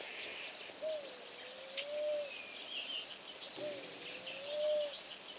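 Namaqua dove giving two soft, low hooting notes that rise, dip and swell again, about three seconds apart, over a steady high insect hiss.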